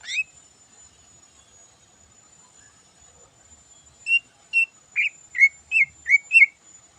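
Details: In the morning a greater green leafbird (cucak ijo) gives its full-isian song. One short note is followed by a long pause, then a quickening run of seven clear whistled notes, bent and slurred, each about half a second apart.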